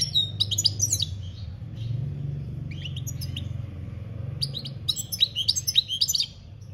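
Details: European goldfinch singing campero style in 2021, delivering short bursts of quick, high, jingling twitters separated by brief pauses, the last burst the fullest, over a noticeable low background rumble.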